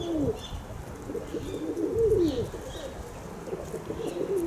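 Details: Low, bubbling coos from kept pigeons, several warbling phrases that swoop up and down in quick succession, overlapping one another against a soft background murmur.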